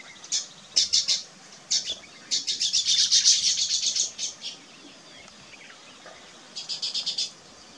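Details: Weaver bird building its nest: bursts of high, thin rapid chattering notes in fast runs, loudest around the third second, then quieter and a final short burst near the end.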